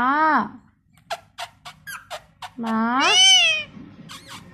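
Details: Pet parrot talking, said to speak Bangla words such as "Vat khabe", indoors; two long, high, nasal voiced phrases, each bending up then down, separated by a series of short clicks and taps.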